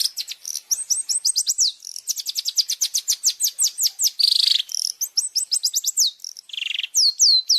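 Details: Long-tailed shrike fill-in song for training caged birds: lively runs of rapid down-slurred whistles, each run several notes long, broken by two brief harsh buzzy bursts and ending in loud swooping whistles.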